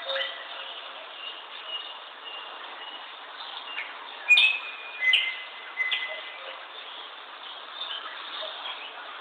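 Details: Chirping bird giving a brief burst of bright, sharp chirps and a sustained thin whistle in the middle, with softer scattered notes before and after over constant background hiss.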